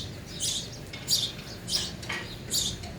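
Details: Four separate high, slightly squeaky chirps from sparrows at a feeder, each brief and spaced about half a second apart.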